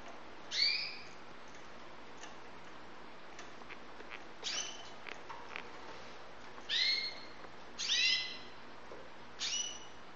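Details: White Syrian canary fledglings in Saudi Arabia giving short, bright chirps with rising harmonics, scattered singly and in pairs every one to two seconds over a quiet background hiss.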